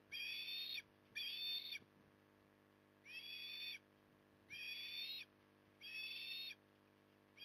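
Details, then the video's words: Port Lincoln, Australia, October 2020, an osprey during evening feeding: six shrill, whistled, harmonic calls, two close together, then a pause before four more at a regular pace. "Osprey ~ Evening Stuffing"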